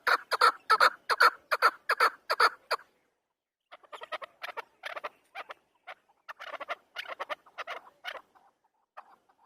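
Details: Chukar partridge, Afghan bird, opening with loud, evenly spaced harsh chucks, falling silent for about a second, then continuing in quieter, broken clusters of notes.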